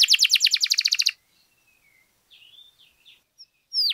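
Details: Canary song for exciting other canaries: a one-second fast buzzy trill, then soft thin whistles and quiet warbles before a short sharp high note at the end.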